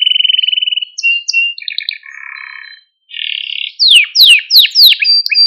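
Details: Training song of a canary for exciting other canaries: a buzzy trill, varied short whistles and lower warbled notes, a brief gap, then a series of sharp descending sweeps.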